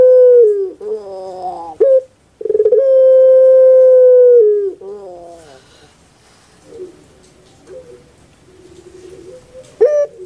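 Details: Puter pelung dove, a well-kept cage bird famed in Java. It gives a gurgling rough phrase and a clipped note, then a long held tone of about two seconds and another gurgle. Quieter soft notes trail off at the end.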